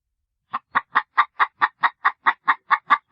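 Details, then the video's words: Rapid chicken clucking, about fourteen clipped, evenly paced clucks at a quick steady rhythm, clean with no other sounds. "chickens clucking sounds of chicken"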